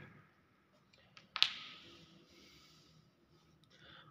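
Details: A single sharp click or tap rings out in a quiet indoor room, with faint scattered ticks and a low steady hum.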